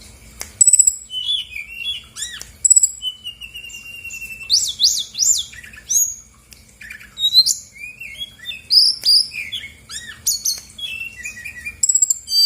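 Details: Bali-origin female Brown-chested Jungle Flycatcher used to make other birds sing: busy chattering song of squeaky chirps, a drawn-out steady whistle, and rapid rising-falling notes, with sharp clicks throughout.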